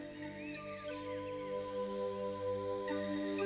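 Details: Soft, sustained new-age style music with steady tones and gentle swells fills the passage, with no animal voice present.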